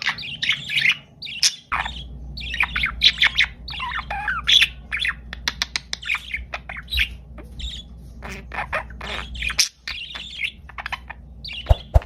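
Budgerigars chatter continuously in bright, scratchy warbles and sharp squawky chirps.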